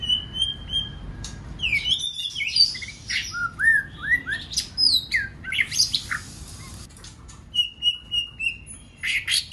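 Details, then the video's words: White-rumped shama song played to provoke other birds into singing and to train a shama to sing many voices; clear whistled phrases, rising and falling slurs and sharp notes in quick varied bursts, some repeated steady whistles near the end. "Kích Chòe lửa hót nhiều giọng"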